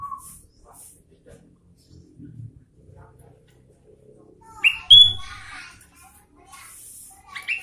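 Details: Sooty-headed bulbul singing: a few faint high notes and quiet spells, then a loud cluster of sharp whistled notes with rising strokes, ending in a high hiss and further whistles.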